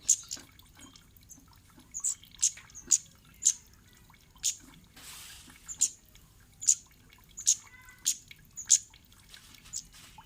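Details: Series of piercing high kemade chips, about one per second, with a brief soft hiss midway. The call is meant to make other birds reply and sing.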